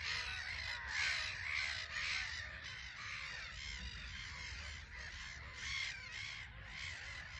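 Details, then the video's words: Colony of Black-headed gulls on a small island at RSPB Frampton Marsh, birds constantly taking off and landing; rapid, irregular strident calls about two a second, overlapping in a noisy, raucous chorus. "Black-Headed Gulls"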